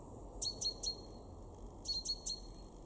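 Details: Garden great tit in Weener, East Frisia, north-west Germany, in February 2023, giving two clear triplets of bright, high, clipped notes separated by a short pause, against a quiet background hum.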